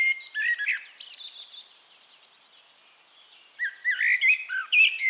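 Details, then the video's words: Eurasian blackbird singing in Castricum, the Netherlands: a fluted, warbling phrase around one second long, a quiet pause of about two and a half seconds, then a second run of mellow whistled notes with a thin squeaky finish. "One Hour Relaxing Birdsong: Blackbird"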